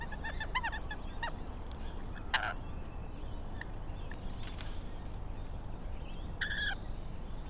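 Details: A chatty pair of rainbow lorikeets raids a pied currawong nest, still without eggs or chicks; quick rattling screeches open the recording, then a single loud squawk and another harsh call near the end, over low background rumble.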